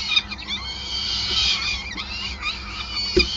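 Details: Peregrine falcons calling at a Groningen nest site on 5 May 2020 amid feeding: sustained shrill, wavering whines with interwoven slurred notes, plus a couple of soft knocks and a low hum.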